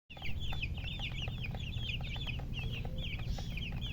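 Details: Baby chicks chirping: many rapid overlapping high peeps, each a short falling-then-rising note, over a steady low hum.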